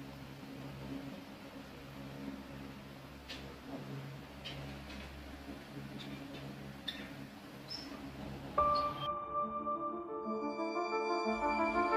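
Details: A low indoor hum with a few faint ticks gives way to a ringing, bell-like chime tone near the end, with no animal voice.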